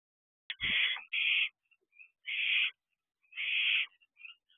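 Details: Barn owl chick practising wing flaps in the owl box doorway at 8:18 pm, June 13, 2023; a sharp knock, then four drawn-out harsh hissing screeches with silent gaps and faint squeaks.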